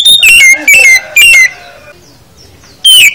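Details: Oriental magpie-robin song, a full song for training birds: loud bursts of rich whistled phrases sliding down from high to mid pitch, three quick phrases in the first second and a half, a pause, then one more.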